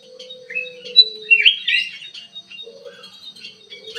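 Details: Caged ruby-throated bulbul chattering in an aviary: a few quick high chirps and a short warbled burst, with a low steady hum starting and stopping behind them.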